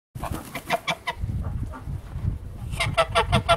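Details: Wild goose giving rapid runs of harsh, nasal honks in bursts, about three per second, over low rumbling background noise.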